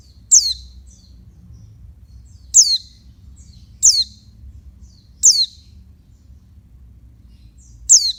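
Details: Female oriental white-eye calling to stimulate males: five sharp, high, downward-sweeping chirps spaced about two seconds apart, with a faint low hum beneath.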